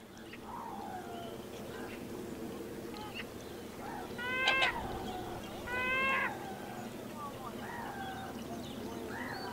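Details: A common greenshank gives two bursts of ringing, clear tew notes over a busy murmur of other birds, at low tide in the Gulf of Morbihan, France, on 21 September 2020, in autumn.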